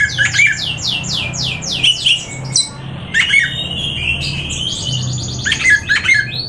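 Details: Oriental magpie-robin song mixing rapid descending sweeps and harsh, squawky notes with sustained high whistles, over a low droning hum.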